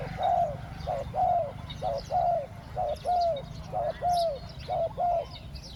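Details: Spotted dove used as a decoy to lure wild doves, cooing in the two-word 'khu-ang' style: a short note followed by a longer arched coo, repeated steadily about once a second, with faint chirps of other birds in the background.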